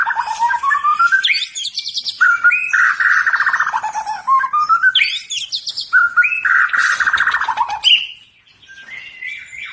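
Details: Loud, varied song from a white-rumped shama of the Medan type: whistled notes that rise and fall, mixed with rapid rattling bursts, in phrases repeated about every two seconds, trailing off into softer high whistles.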